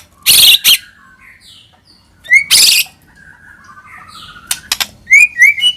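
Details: White-rumped shama lure sound: scattered short whistled notes and sliding whistles, some rising sharply, broken by several loud harsh noisy bursts.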